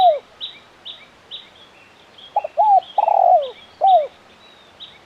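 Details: Spotted dove, KUK 1 style and crisp: a trailing coo, faint notes, then one full phrase of paired short notes, a long coo and a falling note, with another bird chirping steadily high throughout.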